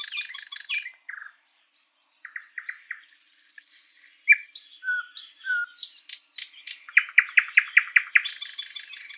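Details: Thrush nightingale singing in a spring forest: a rapid buzzy rattle, then sparse soft whistles, then loud sharp notes and a fast run of repeated clicking chops near the end, with a dense rattle returning.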